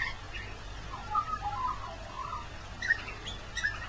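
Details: Magpie warbling through Christmas Day rain: a mellow gurgled phrase in the middle, then two brighter whistled notes near the end, backed by the hiss of rain.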